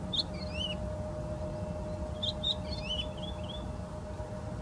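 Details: Woodlark song of quick whistled notes, some sliding downward, in two short phrases separated by a brief pause, with low rumbling noise underneath.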